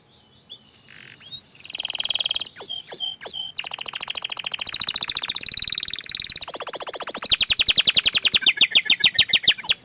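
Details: Orange frost canary singing: faint thin whistles open, then a long run of high, rapid trills and rolls that change speed and pitch from tour to tour, each note repeated many times a second.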